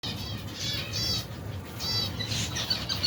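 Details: Finch colony of over 120 pairs with young birds, feeding in cold weather: dense overlapping high chirps and nasal ringing notes in bursts, with a steady low rumble underneath.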